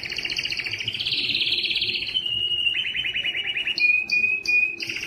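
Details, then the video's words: Canary singing long and loud to attract females for mating; pulsing rolling trills at mid-high pitch, then a steady whistled tone broken into repeated short high notes. "canary singing is very strong and long to attract females for mating and breeding"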